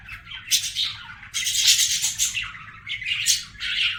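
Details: A pet budgie chatters in loud, hissy bursts of scratchy warble, with squeaky whistles and chirps between the bursts.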